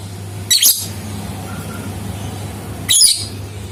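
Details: A lovebird heard as a lure to make other lovebirds sing: two short, squealing, harsh bursts about two and a half seconds apart over low rumbling background noise.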